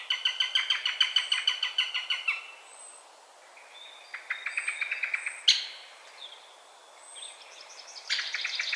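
Eurasian sparrowhawk giving rapid series of sharp, nasal kek notes, about three per second, in bursts separated by brief pauses; faint high whistles from other birds behind.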